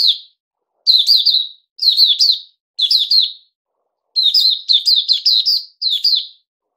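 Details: Puteh Raja bulbul kept as a songbird, fed fruit juice and a mealworm, repeats loud lively warbling phrases roughly once a second, with a longer burst of five quick chirps after a brief pause.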